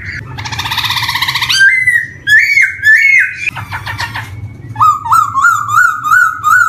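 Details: Black-throated laughingthrush singing, a lure for young birds that have just begun to sing: a buzzy rising rattle, stepped whistled notes, a dry stutter, then a series of short rising whistles, with constant faint low hum.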